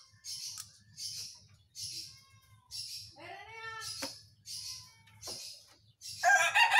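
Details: An agitated, raging whistling thrush gives harsh, hissing screeches about once a second, with one tonal wavering note midway and a louder rasping burst at the end, over a low hum.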